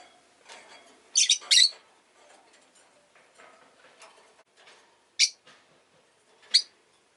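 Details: Pet rosy-faced lovebird chirping amid household and street sounds: a loud pair of harsh, shrill, buzzy chirps, then after a quiet stretch of faint rustling, two more single piercing chirps about a second apart.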